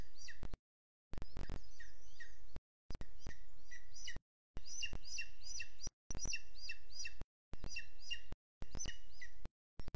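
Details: Booted eagle captured by a Sierra de Guadarrama National Park webcam at 07:20 on 12 June 2022: clustered volleys of high, slurred piping notes, each burst separated by short abrupt silences.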